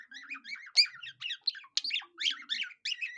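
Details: Budgerigar singing in the manner of a cockatiel: steady rapid chatter of warbled, wavering chirps with occasional sharper buzzy squawks, quiet low sounds in the background.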